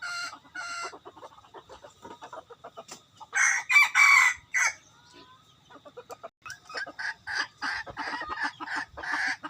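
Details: Decoy rooster: a run of quick, soft clucks, then a loud, harsh, drawn-out crow lasting over a second, followed by rapid rhythmic clucking notes that grow louder toward the end.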